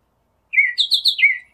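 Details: Northern mockingbird singing in nature, a short varied phrase of slurred chirps rising then dropping, fast and bright, on a quiet background.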